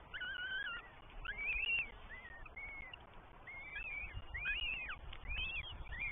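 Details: Begging goshawk chicks, three in a New Forest nest in England, being fed by parents on a May 2023 morning, live camera: dense, loud chorus of wavering whistled wails, several voices overlapping at once, with low background rumble.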